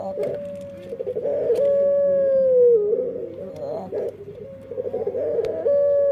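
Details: Barbary dove (burung puter) singing in an unusually different voice: a steady whistled coo held for over a second and gently falling, between stuttering rolled phrases.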